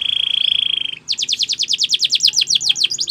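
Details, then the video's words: Belgian canary song meant to encourage other birds to sing: a sustained whistled tone for about a second, then a fast, even trill of sharp downward-sweeping notes. "Belgian Canary Tempts All Birds To Sing"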